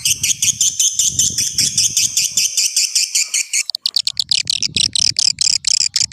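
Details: Old-style swiftlet call sound used as a lure for attracting swiftlets: dense, rapid, high twittering pulses, then after a brief break a quicker run of sharp, clicky chirps, with a faint low hum in the background.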